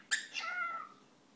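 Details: A pet cockatiel imitating a sneeze: a sharp, sneeze-like burst followed by a short, falling, nasal note.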